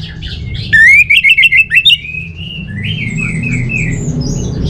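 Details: Orange-headed thrush singing a loud, rapid run of clipped, buzzy notes that rise and fall, followed by softer high whistled slurs over a steady low hum.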